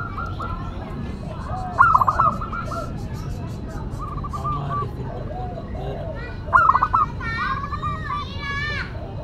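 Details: Local zebra dove, a classic and unique singer used for luring and tutoring: two strong phrases of quick stuttering coos about five seconds apart, with quieter doves answering and human speech at the end.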